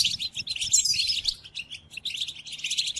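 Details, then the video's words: Goldfinch song played to captive birds as training: a quick jumble of liquid chirps and a sliding buzzy note, dipping briefly before more twittering. "قدم هذه الآصوات لطائرك الحسون وشاهد ماذا يفعل Chardonneret"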